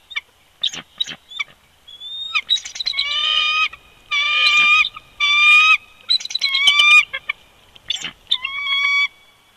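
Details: Bald eagle pair calling together at the nest on an old snag, Big Bear Lake, California, 22 February 2020, winter live feed; scattered chips build into overlapping drawn-out squeals and ragged chatter, then fade to short whistles.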